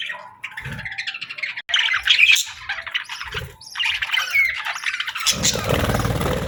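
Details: Budgies whistling in the afternoon: dense, busy warbling chatter of quick chirps and squeaky notes, with a few soft low thumps underneath.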